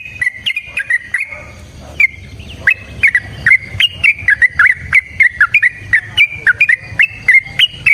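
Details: Yellow-vented bulbul (trucukan) singing a 'gacor' fighting song meant to draw replies from other kept bulbuls: clear whistled notes, each with a quick up-and-down inflection, delivered in irregular bursts over faint low background hum.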